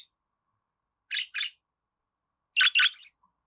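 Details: Budgerigar giving two quick pairs of short, buzzy, rasping chirps separated by more than a second of silence.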